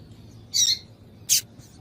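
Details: Female double-collared seedeater calling, a call meant to stir a male into singing: two short, sharp, high chirps about three-quarters of a second apart over a quiet, faint background hiss.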